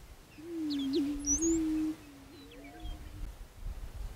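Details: A prairie chicken's deep, droning hoot with a small upward blip, followed by a fainter echoing hoot from another bird, with high chirps and twitters overhead.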